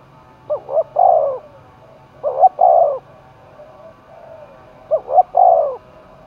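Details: Spotted dove roused for a calling contest in the hills and forests of Dong Nai, Vietnam: three-note coos, two short rising notes then a long falling one, repeated about every two seconds.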